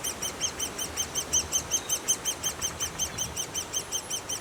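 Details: Insistent, rhythmic high chirping from a great spotted woodpecker nest, arched notes repeated close to three times each second without pause, faint background hiss below.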